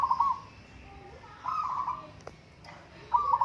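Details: Soft bubbling coos from a local zebra dove in a singing contest, three trilled phrases spaced about a second apart, with a couple of sharp clicks and faint low background noise.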